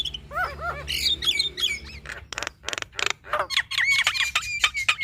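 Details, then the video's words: Female Javan myna singing full fill-in phrases, a tutor recording for mynas: quick downslurred chirps, noisy harsh bursts, then a stretch of fluttering whistles settling into a high level whistle. "Suara Khas Jalak Kebo Betina Gacor Full Isian"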